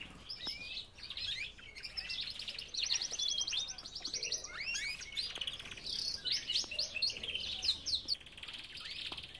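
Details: Belgian canaries in an aviary: several birds sing at once, quick high trills and buzzy rattles overlap with short rising and falling chirps, in bursts through the recording with brief quieter gaps.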